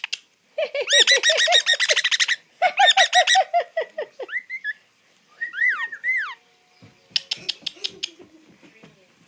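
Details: Young hand-reared pet female musk lorikeet mimicking laughter while being tickled: rapid bursts of harsh, laugh-like chattering notes, then a few rising squeaky whistles and scattered clicks.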